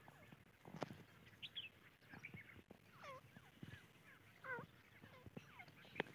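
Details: Several grey francolin chicks calling with high, downward-slurred cheeps, some hooked or curling, scattered irregularly through the recording, with faint low background murmur and occasional clicks.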